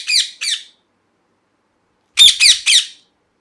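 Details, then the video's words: Indoors a parrot gives two rasping squawks, goes quiet for over a second, then delivers three more loud, scratchy squawks in quick succession with a faint thump beneath. "Parrot Chirping Sounds | Natural Parrot Sounds | Parrot Calling Sounds"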